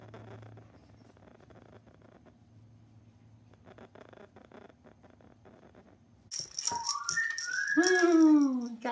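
A severe macaw gives a loud, harsh squawk that swoops down and up in pitch, after several seconds of quiet indoor room noise.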